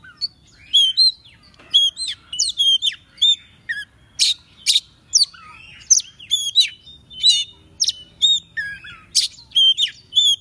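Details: Oriental magpie-robin song used as a lure call for wild birds: a fast, varied string of clear whistles and sharp chirped notes.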